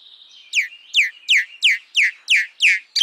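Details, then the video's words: Common myna, or Indian myna, calling a clear, loud series of seven sharp downslurred notes, each dropping steeply, spaced roughly three per second after a soft, steady whistled tone. "Common Myna Sound ! Common Myna Song ! Common Myna Call ! Common Myna Vocal ! Common Myna Voice"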